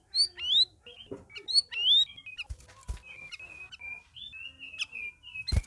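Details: Several caged red-whiskered bulbuls in their first week of care sing: two loud upward-sweeping chirps, then a chain of steady whistled notes, broken by a few sharp cage clicks.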